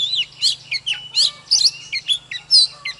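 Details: Caged Oriental magpie-robin singing energetically in a fired-up display: varied whistled phrases and sharp rising and falling notes in quick bursts, with a steady low hum underneath.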